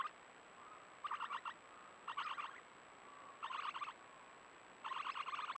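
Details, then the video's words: Three critically endangered swift parrot chicks screeching inside a nest hollow in Tasmania, caught by a nest camera trap while a sugar glider visits; bursts of harsh, rapid, stuttering screeches come in four clusters, separated by faint quieter notes. "And you can hear, if you listen closely, the little chicks screeching away."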